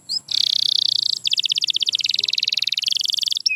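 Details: Canary song offered as sound therapy to coax quiet canaries into singing: a long buzzy trill high in pitch, then rapid evenly pulsed rolling notes that step lower and rise again, ending in brief chirps.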